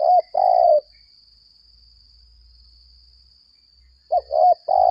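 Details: Decoy spotted dove, 'lambung kuk' type, contest-calling: a long burry coo, over three seconds of quiet, then a fresh phrase of quick coos leading into another long one, over a steady high hum.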